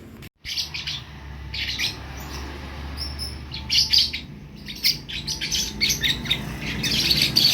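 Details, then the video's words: Young lovebird chick learning to make sounds; scratchy, high chirps start in short bursts, then become louder and denser in the second half, with a low steady hum underneath. "anak burung Lovebird belajar untuk bunyi"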